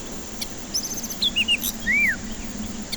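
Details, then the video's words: White-rumped shama song used as a lure for stressed birds that won't sing: a few separate whistled phrases, a high trill then short slurred notes and one loud arching whistle, over quiet steady background hiss. "Pancingan murai batu ampuh cocok untuk pancingan murai batu stres malas bunyi"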